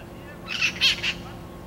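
Three harsh, screechy squawks from a red-masked parakeet in quick succession, each about a fifth of a second, over a faint background hiss.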